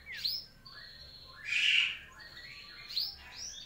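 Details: Sooty-headed bulbul giving varied, slurred whistles, some rising steeply and others dropping, in short separated phrases over a soft hiss of background noise.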